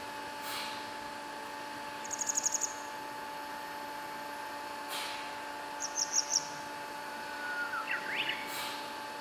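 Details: Grey wagtail on a spring walk along a river in northern Harima, Hyogo, Japan, on a fine sunny day, giving two quick bursts of its sharp, high-pitched, easily recognised ticking calls, about six then four, over a short lower twitter, clicks and a steady hum.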